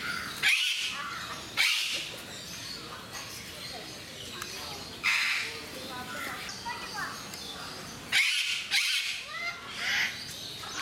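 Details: Captive eclectus parrots at Mysore Zoo in India, described as noisy. Loud, harsh, raspy squawks burst out several times, some in quick pairs, over a steady background murmur.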